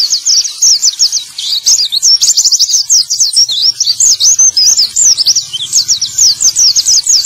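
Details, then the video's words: Male white-eye song used as a lure to coax birds that have stopped singing to start again: a rapid, continuous stream of high, thin twittering notes and quick slurred whistles, barely pausing for over seven seconds. "Terapi Pleci Macet Bunyi || Pancingan Burung Pleci Jantan!!"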